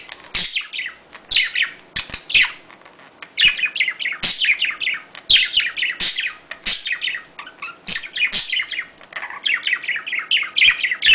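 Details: Budgerigars, several indoors, chatter in mating calls: rapid high warbles, clicks and squeaky chirps in continuous bursts with brief pauses, several calling at once.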